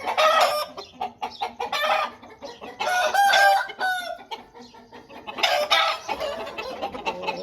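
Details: A flock of home-bred Aseel birds with roosters crowing in overlapping bursts, some ringing and falling, mixed with constant clucking.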